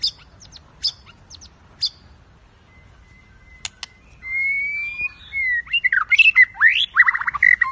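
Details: White-rumped shama in a singing contest: after scattered clicks and a thin held whistle, a loud stretch of rich, warbling whistled phrases sweeping up and down, fast and varied, over a quiet background.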